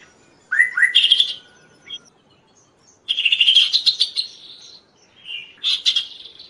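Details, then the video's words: Kaso-kaso song used to lure and train other birds: upslurred whistles followed by harsh, buzzy chattering bursts, repeated in three phrases separated by short pauses. "suara Burung Kaso-Kaso gacor|| masteran dan raja pikat burung lain"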